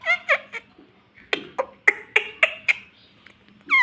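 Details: Pet parrot known for talking, recorded indoors: a run of sharp clicking, chattering syllables with short squeaky tones, ending in a bright rising squeal, against faint room hum.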